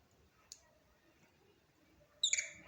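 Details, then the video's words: Budgerigar producing a short burst of two or three high, scratchy chirps near the end, after a faint click and a stretch of low background hum. "أجمل صوت لطائر البادجي"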